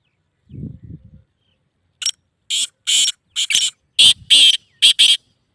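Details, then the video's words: Black francolin call, played to a pet francolin to make it call: loud, harsh, grating notes in uneven groups of one to three, rapidly repeated after a few low rumbling sounds at the start. "Teetar Bolar Sound"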